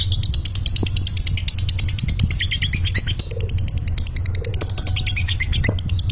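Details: Lovebird giving its long 'ngekek' chatter while falling asleep: a dense, unbroken stream of rapid, shrill chirps and trills, with a few scattered clicks and a steady low rumble underneath.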